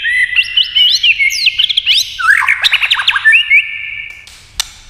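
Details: Competition song of a white-rumped shama: tumbling mix of rich whistles, fast trills and downslurred notes, ending in a sustained flat whistle and a sharp click.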